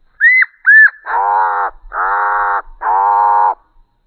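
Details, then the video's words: Black-capped chickadee greeting call from a nesting pair, played in ultra slow motion: two drawn-out whistled notes and then three long, deep, buzzy notes with rich layered tones, each lasting most of a second. "Chickadees Sing Ultra Slow Motion"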